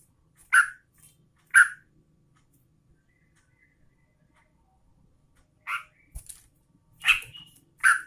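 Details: Yellow-vented Bulbul, a female calling the male, with two loud warbled notes a second apart, a silent stretch, then a quick cluster of three or four chirps.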